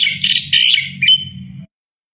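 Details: Black-winged myna, full song meant for training other songbirds: a continuous scratchy warble breaking into a clear drawn-out whistle, over a low hum.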